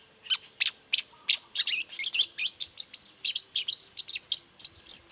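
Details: Morning song of a long-tailed shrike, used as a lure so other shrikes answer: a run of sharp, high, scratchy notes that speeds into rapid chattering pulses, about four per second.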